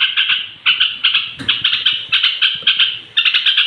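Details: Rapid rhythmic warbling from a straw-headed bulbul, sung at bedtime to rouse other bulbuls; repeated bursts of bubbling notes every half second or so, with a brief rustle partway through.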